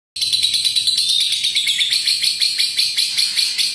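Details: Lovebird giving a long ngekek chatter: a continuous, rapid, high, buzzy trill of tightly packed notes that pulses slightly and runs without a break for nearly four seconds.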